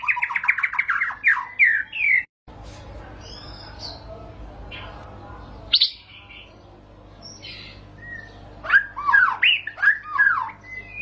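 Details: White-rumped shama singing a long rolling song: dense bursts of fast warbled, whistled notes rising and falling, a brief silent gap, scattered clear whistles in the middle, then another burst of rapid varied phrases.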